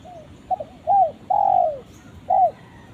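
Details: Spotted dove calling to its companion: a series of soft, hoarse cooing notes, short ones first and then a longer drawn-out coo that falls away, ending with one clear coo, over a low background rumble.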